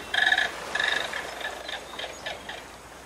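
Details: Snowy egret (Egretta thula), call.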